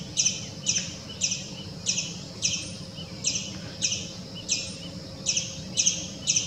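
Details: White-breasted waterhen at a swimming pool, where it came out to eat water scorpions, giving short, harsh, high notes, about two each second in a steady series, over a low background hum.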